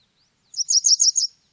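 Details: Japanese wagtail, 2020 recording: five rapid high-pitched chirped notes strung together in a brief, even-paced series, with no other sounds.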